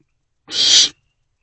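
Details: Owlet inside a nest box at night, 24 April 2024, while eating a large rodent: one steady, breathy screeching hiss lasting about half a second, with quiet before and after.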